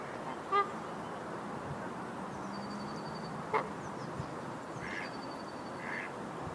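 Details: Canada goose giving two brief, sharp nasal honks about three seconds apart, over steady background hum and faint distant traffic-like noise.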